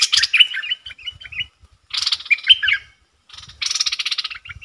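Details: Bulbul decoy calling at wild birds: three bursts of harsh buzzy rattle mixed with short whistled notes, separated by brief pauses, with soft low thumps.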